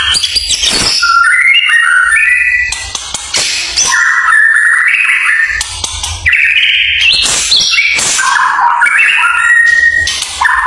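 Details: Competition white-rumped shama shown bowing to the judges, delivering a long, varied torrent of whistled and fluty phrases, rising and falling slurs mixed with sharp chips and brief harsh notes, with barely any pauses between bursts.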